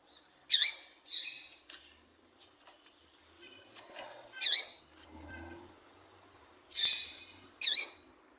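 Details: Female seedeater (papa-capim, tui-tui type) call used to attract and excite males: short bright downward-sweeping chirps in pairs and singles, with quiet gaps and faint low background sounds between them.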